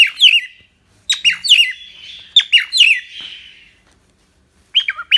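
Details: Pet cockatiel in Indonesia singing bursts of chirps and twisting whistled notes, with a short pause before a final phrase.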